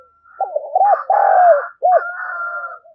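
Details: Spotted dove in thúc gù calling used to train decoy birds. Arched, mellow coo notes overlap a fainter, higher, buzzier cooing voice, giving a layered, continuous phrase.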